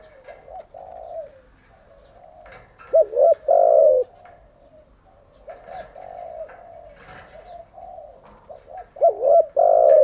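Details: Spotted dove, a decoy bird used for training captive doves, giving low mellow coos in short phrases with a quiet softer cooing between, two louder bursts near the start and end, faint chirps above.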